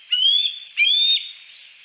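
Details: Bald eagles, three on the Y branch at Decorah at sunset, give two high, piercing whistled notes, each slurring gently upward and held for about a third of a second, with a short gap between.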